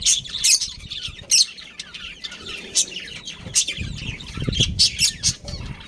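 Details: A breeding pair of budgerigars, possibly recorded in a Karachi colony or bird market, chirp in quick, scratchy bursts of high warbling notes, with some low rumbling noise behind.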